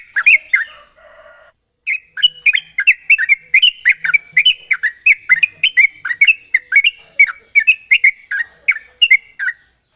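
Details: Sooty-headed bulbul singing a fast, sharp ropel song, used as a lure to get other bulbuls singing: after a short faint opening, a brisk run of bubbly, slurred whistled notes follows about three per second, with bright metallic overtones.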